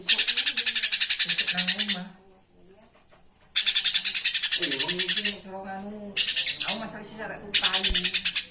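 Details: Flowerpecker (konin) singing, a live bird used as a master recording for tutoring cage birds: rapid high, thin ticking trills in bursts of about two seconds separated by pauses, with faint low murmuring beneath.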